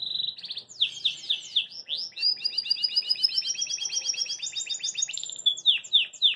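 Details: Happy Belgian canary, caged and hopping, sings a varied phrase: a steady whistle, falling swept notes, then a long rapid chirping trill that steps upward in pitch, closing with sharp downslurred notes.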